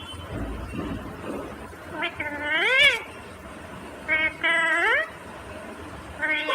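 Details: A green ringneck parrot talks, uttering drawn-out harmonic phrases that bend upward at the end, about three bursts separated by pauses, with faint low rumbling behind.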